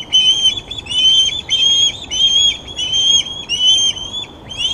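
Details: Loud osprey calls from the Glaslyn nest cam on 26 August, while the young are fed fish. Piercing whistled notes come in uneven pairs and runs, with brief gaps between them.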